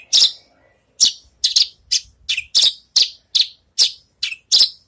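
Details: A Javan bush lark that has finished moulting, practising its song, gives single high, sharp chirps spaced about half a second apart after a short opening note.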